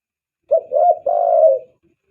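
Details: Spotted dove used as a lure to attract doves: one three-part cooing phrase, two short low coos followed by a longer drawn-out hoarse coo, clean and close.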